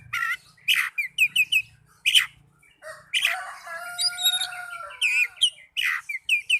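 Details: Young Oriental magpie-robin in a cage delivering clipped chirps and rasping notes, then a long sustained whistled tone layered with softer warbling, with faint background hum.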